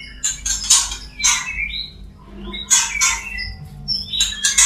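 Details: White-rumped shama male courting a female: harsh high squawking bursts alternating with short whistled notes, separated by brief pauses, over a low steady hum.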